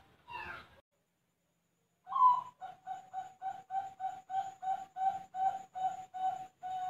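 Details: Zebra dove of the Bangkok type, farm-kept in Buleleng, Bali, Indonesia: a short burst, a pause of over a second, then about fifteen clipped, even coos delivered in quick regular succession.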